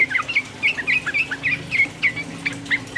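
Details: Provoking 'uplik uplik' song of sooty-headed bulbul: fast, chattering run of short bright whistled notes repeated in quick pulses with a faint low hum beneath.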